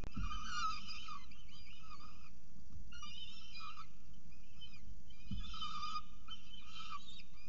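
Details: At the first feeding of the day, 6.36 am on 21 October 2018, peregrine falcons at a nest in Orange give grating, strongly harmonic squealing calls in clusters with short pauses, over low background rumble and occasional thumps.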